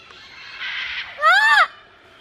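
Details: Rescued parrot at a rescue sanctuary yelling beside a wooden parrot mailbox: one loud harsh arched squawk, rising then falling, about half a second long, following softer murmuring background sounds.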